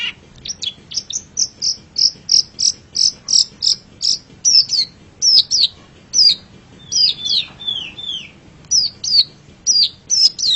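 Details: Long-tailed shrike training song for pet birds: high, clear repeated notes in a regular series, later broken by downward-curving whistled slurs and paired chips.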